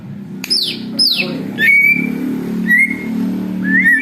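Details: Greater green leafbird in noisy song imitating an eagle, used for luring: high whistles sliding steeply downward, then long flat whistled notes and rising slurs, over a steady low hum.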